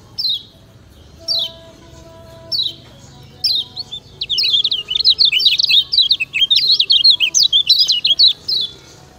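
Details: Lemon-bellied White-eye, known locally as kecial kuning, in a master song meant to train other birds. Three spaced, downslurred "ciak" chirps lead into a long, rapid, high-pitched chattering warble of varied zigzag notes.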